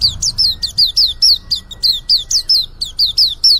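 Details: A young white-eye starting to open its beak in song gives a rapid, steady run of sharp, high, descending chirps, each note sliding downward, with a clean quiet background.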